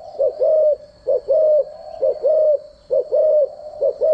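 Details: Spotted dove decoy cooing used daily to train doves' voices: low hollow coos in short-long pairs, repeated about once a second in a steady loop, over a constant thin high whine.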